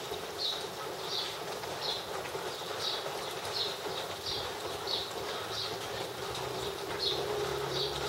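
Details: A wagtail in the rain gives short, high chipping notes about every three-quarters of a second, steady and unhurried, over a constant hiss of falling rain.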